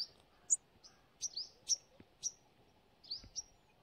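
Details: Forest sunbird, one of the smallest woodland birds, uttering scattered thin high chirps and twittering notes at irregular intervals over a quiet hiss, with a soft thump or two.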